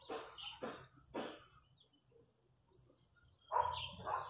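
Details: Wild chachalacas in the countryside: a chachalaca gives three harsh, raspy bursts about half a second apart, then a pause before a louder, grating two-part call.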